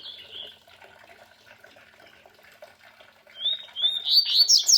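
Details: Double-collared seedeater singing beside the sound of a small waterfall; faint twittering at first over running water, then a loud burst of rapid, high, sweet whistled and buzzy phrases near the end.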